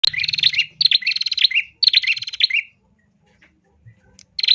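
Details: Female bar-winged prinia singing, used to spur males into song: three rapid buzzy, ticking trills, each under a second, high-pitched with a sharp dip at the end, separated by short pauses, over a faint low hum.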